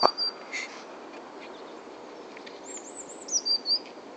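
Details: Eurasian blue tit singing at Uppsala Botanic Garden, Sweden: thin, high whistled notes, then a quick silvery trill and a few more piercing notes, over faint background hiss.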